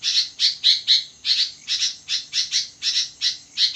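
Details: Sooty-headed bulbul calling energetically at midnight, giving a steady series of loud, harsh squawk-like notes roughly three per second, each note rough and high-pitched, with nothing else audible.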